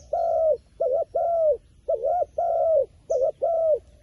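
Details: Close wild pigeon giving three or four phrases in four seconds. Each is a brief wavering double coo, then a long, smooth, mellow coo that falls slightly at its close. One faint high chirp is heard.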